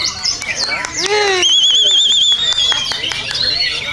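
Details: White-rumped shama singing for contest training: sharp clicks and falling slurs, then a long, loud, wobbling whistled trill lasting about a second, trailing into softer high twitters.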